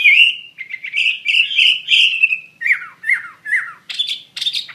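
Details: Chinese hwamei singing: a loud sustained whistled run, then short downward-slurred notes and a few harsh buzzy chirps at the end.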